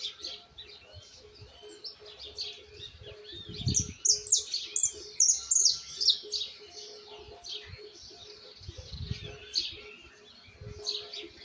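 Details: Juvenile Argentine white goldfinch singing a long, fast twittering sequence of sharp, very high chips and trills, densest in the middle. Low rumbling thumps and a steady faint hum sit behind it.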